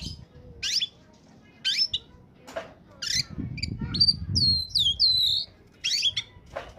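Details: Oriental magpie-robin in peak singing form, used to lure birds. Harsh scratchy notes repeat roughly once a second, broken by a run of quick looping whistles in the middle, over a low background hum.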